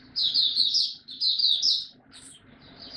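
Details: White-eye (mata puteh) in captivity in Singapore, 31 July 2023, resuming its song: two quick bursts of bright, high chattering notes, then a short, softer trailing phrase.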